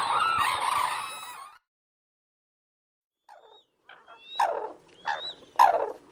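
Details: Crane (Grus) calling: a loud, harsh, harmonic-rich call in the first second and a half, then silence, then several shorter, quieter rasping notes, with a thin whistled note from another bird.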